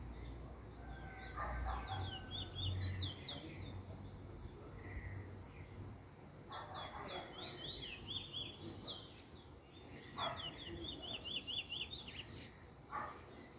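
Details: Trinidad bullfinch (chestnut-bellied seed finch), a young male in first black plumage working on its song form, 10/10/20: two bursts of fast warbled, slurred whistles, with brief pauses between phrases and low background rumble.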